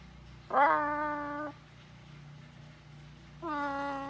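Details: Pet blue-and-gold macaw on a farm, chatting with its owner: two drawn-out, voice-like tones about a second each, steady and harmonic, separated by a quiet gap with a low indoor hum.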